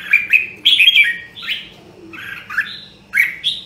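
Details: A red-whiskered bulbul of Nam Đông, Huế origin sings during voice training: clipped chirps, then a cluster of loud fluty warbles, with quieter scratchy notes between phrases.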